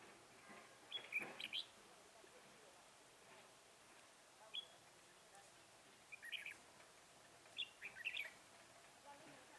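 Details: Red-whiskered bulbul at a lure-bird trapping session, 10 December 2017: four short bursts of sharp, bright whistled notes spaced a couple of seconds apart, with quiet gaps of soft outdoor background between them.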